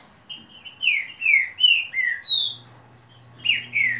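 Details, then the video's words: A green-winged saltator singing contest among owned birds: a run of clear downward-slurred whistled notes, a brief pause, then more whistles, with a low steady hum underneath. "Disputa de canto rápido Esquente seu trinca ferro"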